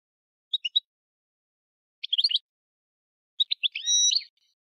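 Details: European goldfinch singing in short bursts: quick high twittering notes around three phrases, one ending in a drawn-out buzzy nasal note, with clean silence between bursts and no other sounds.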